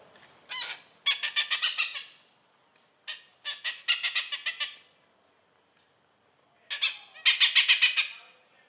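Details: Oriental pied hornbill in Malaysia giving loud harsh cackling bursts, each a rapid series of broad squawking notes, three bouts separated by short pauses.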